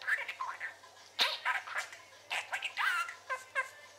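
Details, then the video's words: Indoor pet parakeet chattering: a quick run of throaty, harmonic squawks and chirps, some sliding down in pitch, packed closely together over a few seconds. "Chatting and Trilling"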